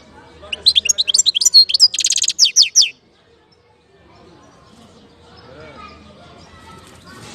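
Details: European goldfinch from Algeria, recorded in 2019, delivering a quick run of high tinkling notes broken by a harsh buzzy burst, about two seconds of song, then near silence with faint background hum.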